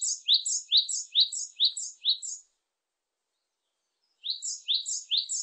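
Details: Japanese tit song, recorded 2020: quick two-note phrases, each a rising note followed by a higher buzzy note, repeated about seven times in a fast rhythm. A pause of nearly two seconds follows, then three more phrases. Quiet, clean background.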